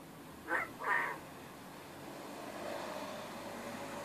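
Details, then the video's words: Kept male quail, which seldom crows, gives a short two-part crow: two rough, loud bursts half a second apart, then quiet room hum. "Krähender Wachtel-Hahn / Crowing Quail-Rooster / Caille Coq chanter"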